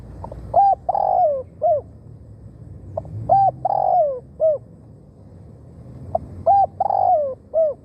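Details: Caged decoy spotted dove luring wild doves: three evenly spaced coo phrases roughly every three seconds, each a quick note, a long trilled falling croo, then a separate short hoot, over a faint low background.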